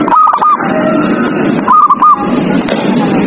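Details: Zebra dove singing at night, meant to encourage captive birds to sing: two brief runs of clipped, stuttering whistled notes separated by about a second, partly masked by dense constant static-like noise.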